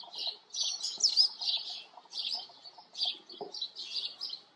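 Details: Farm-dwelling house sparrows in a busy chattering chorus of harsh, overlapping chirps in pulsing bursts, with occasional low thuds underneath.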